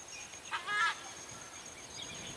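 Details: Southern screamer perched in a tree, a species rarely seen in trees. One brief, loud, harmonic honking note lasting under half a second, then quiet background with a steady faint high hum.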